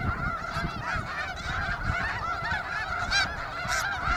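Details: Flock of snow geese at Iona Beach, British Columbia, captured with a shotgun microphone: continuous overlapping nasal honks and yelps from many birds, a dense chattering chorus with some louder calls near the end.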